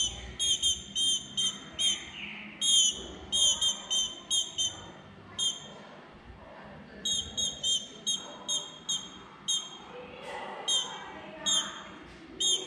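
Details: Female green-winged saltator calling ('curruchiando') while asking to mate: clusters of rapid, high clipped notes, a few softer slurred sounds between, a quiet pause mid-clip, then more bursts of chips.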